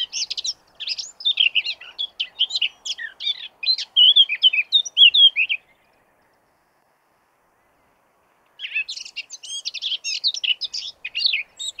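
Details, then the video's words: Blackcap song: a long, rapid, richly varied warble of chattering and fluted whistled syllables lasting about five seconds, a silent gap, then a second scratchy warbling phrase beginning; clean, quiet surroundings. "LE CHANT DE LA FAUVETTE À TÊTE NOIRE / BLACKCAP SINGING"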